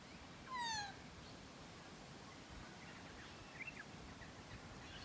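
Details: Magpie at close range giving a single nasal, descending call with a rich stack of overtones, followed by quiet background noise and a faint distant chirp.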